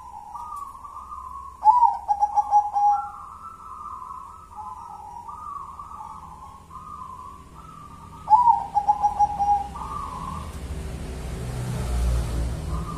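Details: Local natural zebra dove, song in the one-and-a-half engkel ngelaras style: two full phrases of quick, throbbing pulses, each running into a chain of soft, level coos. Rising background rumble near the end.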